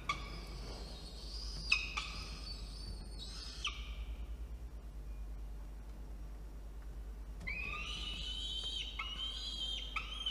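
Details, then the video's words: Peregrine falcon chick in a nest box atop a water tower in Orange, New South Wales, Australia, 4:06 PM on 17 November 2021, protesting while the box is cleaned: harsh, ragged wailing screams in two long bursts separated by a quiet pause. "Yurruga doesn't like the house being cleaned"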